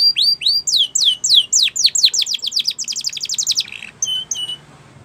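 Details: Spanish Timbrado canary song for young birds to learn: slow then quickening falling whistles building into a fast rolling trill, ending with two metallic clicking notes.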